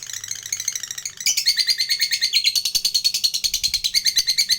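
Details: Lovebird lure meant to provoke a fighting response, in long ngekek style: a fast, harsh, buzzy trill pulsing about three times a second, starting softer and growing louder after one second.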